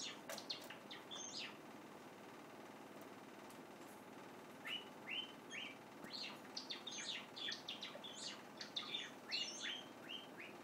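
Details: Young white Java sparrow practising its song, recorded unnoticed: early scattered chirps, a quiet spell, then a quick string of clicks and short whistled notes, roughly two or three each second.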